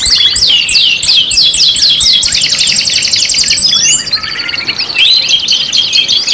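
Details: Canary song for luring other canaries, five in one: a fast series of descending whistled sweeps repeated several times a second, then a steady rolling trill. The trill softens briefly before sharp chirps resume.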